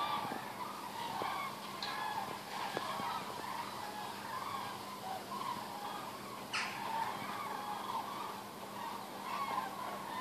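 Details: Common cranes passing overhead in vast waves above Meerbusch (Osterath), thousands of birds; steady blended chorus of rolling trumpet-like calls, with a sharp click near the middle and light ambient noise.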